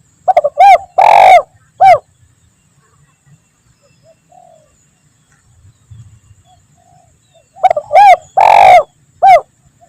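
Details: Spotted dove coos from a trapping lure in the 'Kuk 1 Mersik' style: two phrases of low, hollow notes, a few short hoots around one drawn-out louder coo, with a long quiet pause between them.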